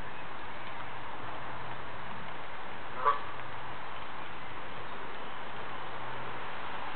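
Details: A kept Canada goose coming to tell its owner its troubles utters one brief honk midway, surrounded by steady low-pitched hum.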